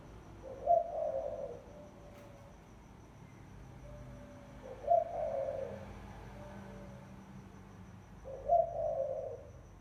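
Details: Lure call of a spotted dove, three low husky coo phrases spaced roughly four seconds apart, each starting with a sharp bright note, and faint soft coos in the gaps.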